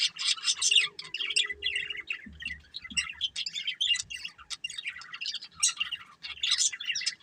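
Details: A budgerigar breeding pair chirping and warbling nonstop in rapid, scratchy notes, with faint low bumps in the background.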